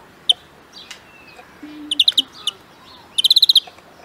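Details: European greenfinch in song training, delivering brief clusters of fast metallic trill notes, ending in a rapid run of about eight notes, with faint other bird calls behind.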